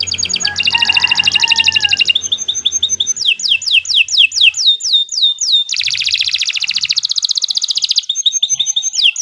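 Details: Canary song meant for tutoring other birds: rapid mechanical trills alternating with series of high descending whistled sweeps, then a dense buzzy rattle and more downward-slurred notes, with faint low background hum.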